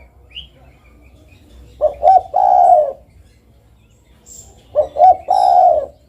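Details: Spotted dove calling vigorously: two phrases, each two short clipped notes followed by a longer, mellow, slightly falling coo, about three seconds apart, with faint thin chirps in the background.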